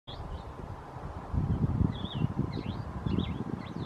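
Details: Cassin's vireo (Vireo cassinii) run-on song, Flagstaff, Arizona, 9 May 2018: short, slurred whistled phrases in quick succession, some rising and some falling, over a steady low wind rumble.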